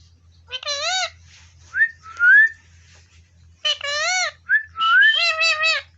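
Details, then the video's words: Indian ringneck village parrot talking: two runs of wavering, rich-toned syllables with rising whistled notes between them, each phrase about a second long, separated by pauses, with a faint low hum behind. "मिट्टू मिट्टू Indian parrot speak everything."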